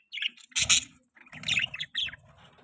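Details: Budgerigar chirping: a few short, bright chirps in quick bursts, some rising sharply, separated by brief pauses, with light rustling beneath.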